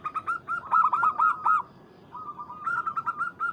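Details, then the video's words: Local zebra dove calling a rival, used as a lure to provoke other doves: two bursts of fast, repeated mid-pitched cooing notes with bright overtones, separated by a soft, level, sustained coo. "PERKUTUT Lokal MEMANGGIL LAWAN"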